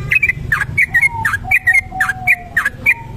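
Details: Trucuk kebo bulbul in a long ropel song used for luring: rapid bursts of bright, slurred chirps alternating with a thin steady lower whistle, over a low rumbling background.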